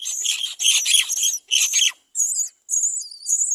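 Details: Great myna chicks at the nest, crying while the parent withholds food, beg with harsh, rasping bursts about half a second long, then thinner, higher squealing notes, with brief gaps between.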